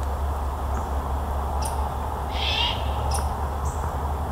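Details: A young, full-sized great horned owl at Fenner Nature Center, Lansing, Michigan, in 2021, still calling for its parents to feed it, gives a single raspy, hissing half-second screech over a low rumble with faint high ticks.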